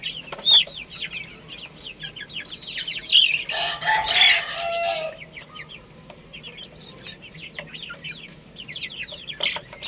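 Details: A group of young chicks playing and eating keep up dense, high, down-slurred peeping. A noisy scratchy rush lasts about two seconds in the middle, and the chirping carries on throughout.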